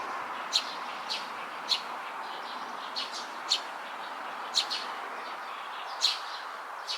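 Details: Fledgling Eurasian tree sparrow with heavy eyelids, June 9, 2022, calling in brief piercing chirps about once a second, alternating louder and fainter notes, against an even humming backdrop.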